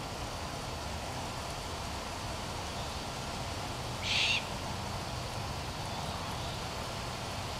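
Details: Colorado great horned owl calling toward a sibling in a nearby tree: a single brief raspy screech just past the middle, set against constant low-pitched hum and diffuse noise.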